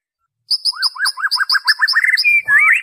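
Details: Original white-rumped shama song used to lure shamas into singing: after a silent start, a brisk run of about ten ringing arched whistles, then a sweeping twisting whistled flourish.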